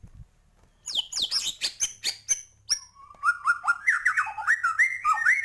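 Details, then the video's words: Murai batu, the white-rumped shama, singing 'gacor' with full 'isian' to raise birds' excitement: high descending whistles and sharp chips, then a rapid series of looping whistled notes repeated roughly twice per second. "Murai batu gacor,, full isian cepet naikan emosi burung"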